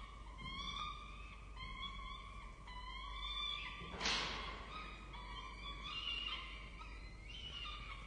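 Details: Feeding time at a peregrine falcon nest on a university campus in Orange, Australia: chicks give repeated, drawn-out, reedy wails in overlapping bursts, with one dull thump midway.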